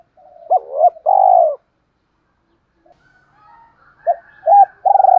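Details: Spotted doves, male and female, used to train caged doves: a hooked double coo leading into a long purring coo, a quiet pause with faint higher murmurs, then another double coo and a rolling note.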